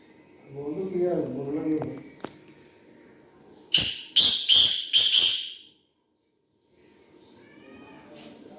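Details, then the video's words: A Black Francolin (kala teetar) gives a loud, harsh, grating burst of about five rasping notes in under two seconds, with low human voices before and after. "Kala Teetar Ki Awaz"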